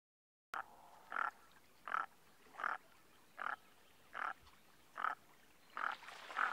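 Common merganser giving a run of about eight harsh, croaking notes, each short and rasping, spaced roughly every three-quarters of a second; nothing else stands out.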